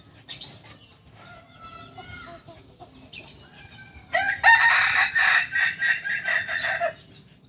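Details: Kokok Balenggek rooster, a native village chicken breed from Solok, West Sumatra, kept for its tiered crow of up to 19 stages; faint harmonic notes, then a loud harsh crow broken into about six rapid pulsing tiers.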